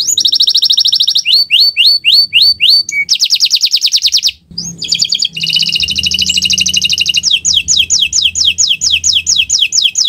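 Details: Canary in owor-owor style, a tutor recording to make birds sing: alternating rapid buzzy trills and bursts of quick descending whistles, followed by a long series of falling notes over a faint hum.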